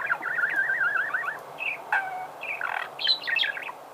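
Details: Budgerigar singing: a rapid, wavering warble of looping chirps that runs for over a second, followed by scattered short chirps, clicks and higher squeaky notes.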